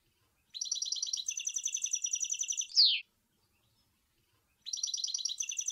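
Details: Goldfinch song from Sour El Ghozlane: a fast, liquid stream of high chirps lasting over two seconds, closing with a loud downward slurred note, then a second phrase begins after a pause.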